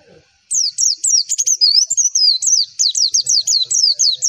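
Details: Tutor song of a Javan white-eye, meant to get every white-eye replying: a quick series of thin, high whistles, each dropping steeply in pitch, with a brief warbled stretch midway and no other sounds.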